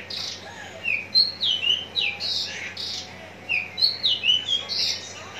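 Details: Singing Javan bush lark readied for hanging contests, Cikupa, Tangerang: fast sequences of sliding whistles and harsh buzzy bursts, phrase after phrase with little pause.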